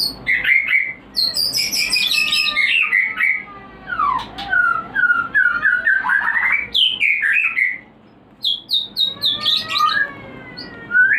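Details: Breeding-stimulation song of a white-rumped shama: rich, varied whistled phrases mixed with buzzy high trills and rapid chattering, with short pauses between bursts and faint room hiss behind.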